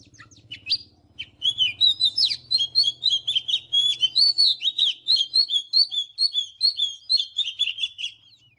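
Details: Oriental magpie-robin in morning song: a long, unbroken series of rapid, sweet whistles and chattering trills, varied in pitch, continuing for about seven seconds over a faint low hum at the start.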